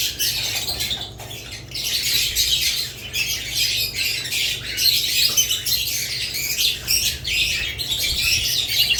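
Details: Budgerigars chirping together in a dense, continuous high-pitched chatter of overlapping squeaks and warbles, with brief dips in loudness near the start, over a steady low hum.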